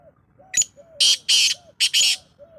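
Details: Black francolin calling, recorded 19 February 2025: one short harsh note, then four loud, grating, rasping notes in two pairs. Soft, repeated downslurred whistles of another bird sound in the background.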